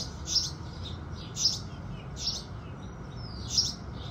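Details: House sparrow in the early morning light giving four well-spaced, bright chirps about a second apart against a soft low hum.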